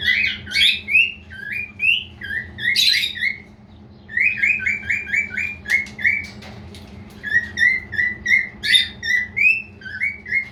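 A male cockatiel gives bright, repeated whistled chirps in quick bursts, with brief pauses between phrases.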